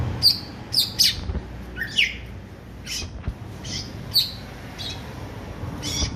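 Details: Greater green leafbird singing in the jamtrok style, described as a bird ready for competition: sharp, high chirped notes and short downward slurs given in uneven bursts, with quiet gaps and a faint low background hum.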